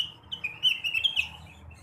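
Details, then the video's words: Blue-winged leafbird morning song to stimulate other birds: a short, clear, warbled whistle phrase of connected notes wavering up and down, with a faint low hum. "kicauan rengganis atau cucak wilis di pagi hari. cocok buat merangsang burung bahan"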